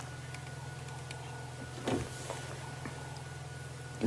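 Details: Steady mechanical hum from an idling vehicle on an evening drive in the African bush, with faint clicks and a couple of short bumps, and no animal voices.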